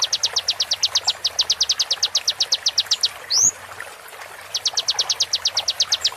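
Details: Konin song for training songbirds: quick high chattering notes repeated about ten per second, then an upward-curving whistle and a short gap before the rapid notes return.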